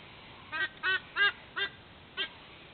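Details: White-bellied sea eagle calling from the nest at dawn, 06:04, Sydney, Australia, 13 October 2024. Five harsh, harmonic honks are evenly spaced about a third of a second apart, with the last one set slightly apart from the rest.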